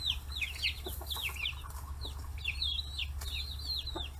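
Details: Chicks 40 days old pressing around fish heads at a free-range poultry farm in Kitahiroshima: dense chatter of quick, looping high peeps from many birds, soft taps, and a continuous low hum.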